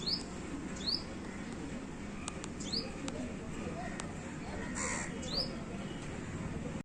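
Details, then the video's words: Small yellow bird chirping; a run of thin, very high upslurred chirps spaced about a second apart, with clicks and brief noise bursts in the background. "সেই যে হলুদ পাখি............. 🐦🐦🌼🌼 (Bird Whistling and Chirping)"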